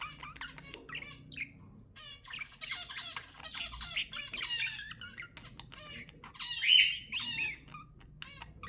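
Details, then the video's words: Pet budgie song for stimulating caged budgies into singing: continuous scratchy chatter of harmonic squawks building into a louder, denser passage, with one strong shrill note near the end. "تحفيز طيور البادجي أقوى صوت بادجي تسمعه"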